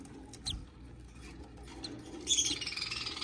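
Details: Hatchling budgerigar at hatching time, a few faint high squeaks, then a run of thin, high pulsed cheeps repeated rapidly over the last second, with low rustling and scraping underneath.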